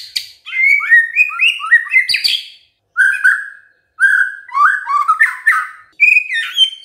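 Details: White-rumped shama in loud, full 'gacor' song: a fast run of varied, clear whistled phrases, many sliding up or down, in short bursts with brief pauses, notes pitched mostly mid-high with bright overtones, no other sounds.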